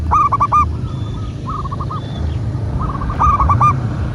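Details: Local zebra dove, recorded as a master track for training doves: several bursts of quick rolling coo notes, each phrase a few clipped, hollow notes, over constant low background noise.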